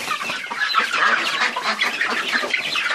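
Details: Many chickens clucking and cackling together in a steady noisy din, calls overlapping without a break.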